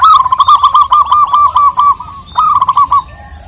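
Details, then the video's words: Local zebra dove calling out to a rival: a rapid run of short, even coos around a single low pitch, delivered in two bursts separated by a brief pause. "Perkutut lokal gacor memanggil lawan"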